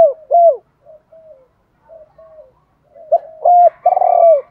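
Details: Spotted dove decoy voice for training doves: two falling coos, several soft quiet coos, then a louder phrase of a short note, a held coo and a long buzzy coo falling at the end.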